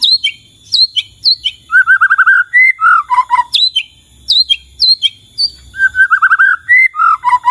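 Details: White-rumped shama song, played to make other shamas respond and sing: sharp high chips alternating with quick rolling whistled trills and slurred notes, repeated in bursts against a quiet background.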